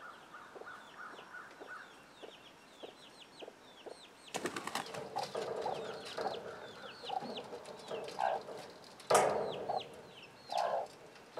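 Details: Chickens with young chicks: soft, evenly spaced clucks and high, downward-curving chick peeps. Then a sudden loud burst of harsh calls and scrambling commotion, as the chicks rush off at the alert sound. Sharp louder squawks follow near the end.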